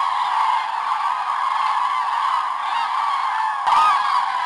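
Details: Common cranes on their morning departure from the roost at Hortobágy, Hungary, 24 October 2010: a dense, unbroken chorus of many overlapping honking, trumpeting calls from a large flock, with one louder nearer call near the end.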